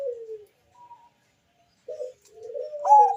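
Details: Bangkok-type zebra dove singing as a lure to draw other doves into calling: a short falling purr, a faint whistle, then a brief coo before a louder rising, wavering phrase.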